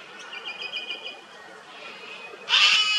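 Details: Wild sulphur-crested cockatoo in Australia, perched on an old dead tree where it feeds on honey and chews bark: softer chattering notes first, then a sudden loud, harsh, grating screech that holds for half a second.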